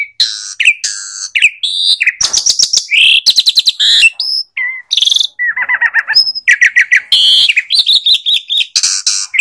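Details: Asian pied starling pouring out a dense mix of whistles, buzzy trills, scratchy chatter and a low rattling phrase mid-way, almost without pause.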